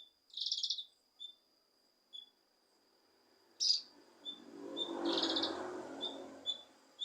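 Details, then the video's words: Leafbird (cucak kinoi) song, used to provoke a lazy kinoi into singing: short buzzy trilled bursts and brief high chips spaced about a second apart, with a broad rushing noise later on. "Cucak Kinoi Untuk Memancing Emosi Kinoi Malas Bunyi"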